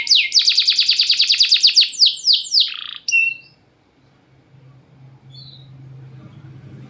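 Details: Champion canary song, recorded as a lure for canaries that sing little: a loud, fast trill of repeated notes for about two seconds, then a few descending sweeps and a short high note, followed by quiet background hum.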